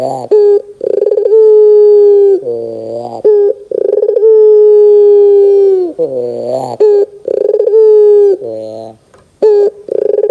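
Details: Barbary dove lure call for young doves, in the 'gacor dor' style: repeated cycles of a rippling trill, a long held coo, then a lower buzzy phrase, over about ten seconds.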